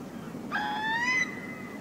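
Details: Untypical hoarse call of a Eurasian Curlew among oystercatcher, redshank, gulls and snipe: one loud, rich, rough note that starts abruptly and slides gently upward for under a second, over low background rumble.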